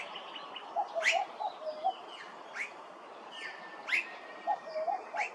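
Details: An immature blue-faced honeyeater at Hervey Bay, Queensland gives sharp rising squeaky calls roughly every second and a half, among soft low chirps from other birds and a steady background hiss.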